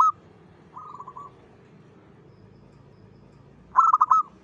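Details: Local zebra dove singing at dawn, used as a lure sound: brief bursts of rapid trilled cooing notes around a low whistle pitch, one at the start, a softer run near one second, and a loud stuttered phrase near the end.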